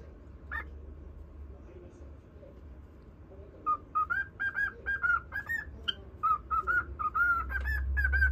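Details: Cockatiel singing to a pet budgerigar: mostly quiet hum at first, then a run of bright, quickly repeated whistled notes that rise and fall in a tune.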